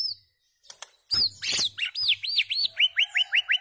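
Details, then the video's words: Song of the white-rumped shama, meant to tutor goldfinches and hybrids: after sharp high notes, a series of arched whistled notes repeated evenly, each rising then falling, about three per second. "تغريد عصفور الشاما صائد الذباب الهندي لتلقين الحسون وهجينه للحصول على نوطات نادرة جداً"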